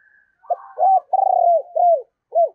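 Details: Decoy spotted dove cooing: a soft trill leads into loud low coos, including a long rolling note, each ending in a downward slide.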